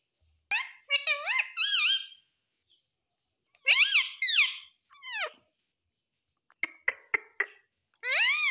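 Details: A talking parrot, said to mimic words such as "mummy papa", utters short bursts of rich, word-like syllables, some sliding up and others falling, in several groups separated by brief silences and a few sharp clicks.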